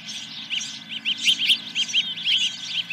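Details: Osprey calling at its nest on the morning of 10 July 2021: rapid, ringing, high whistled notes, each dipping slightly in pitch, delivered in quick succession over a faint mechanical hum.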